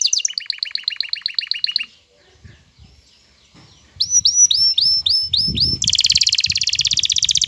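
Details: Excited male canary courting a female into mating posture: a rapid two-tone chattering trill, a near-silent pause, then repeated curving whistles leading into a very high, dense buzzy roll, with low rustling underneath.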